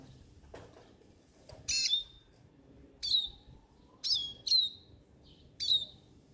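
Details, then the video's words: A siskin sings, giving five short, bright chirps with a falling twang, spaced about a second apart, over quiet low background noise. "بسبوس كيني Siskin song"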